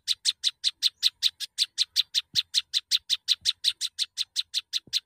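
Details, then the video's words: Prinia repeating crisp, high, clipped notes in a fast, regular chain of about four per second, each note a bright tick, with a few faint low knocks in the background. "burung peranjak unik dan gacor"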